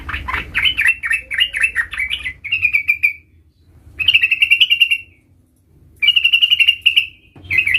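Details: Young sooty-headed bulbul practising its rolling song: an opening run of varied chattering notes followed by three separate bursts of fast rolling trills, each about a second long with short silences between.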